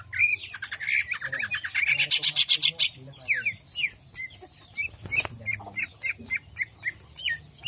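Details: Greater green leafbird in jamstrok song, opening with a fast buzzy rattling trill for about three seconds, followed by a series of short, sharp whistled slurs spaced in quick succession.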